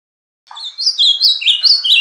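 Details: Bahia-style song of the ultramarine grosbeak: a low soft note, then a quick, lively string of loud whistled slurs dipping and rising, still going when it cuts off.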